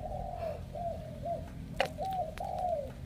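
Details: Spotted dove, a wild-caught bird picked as a strong cooer for a buyer in Hải Dương, Vietnam, giving soft, low coos with a falling tail, repeated in short phrases over a faint background hum.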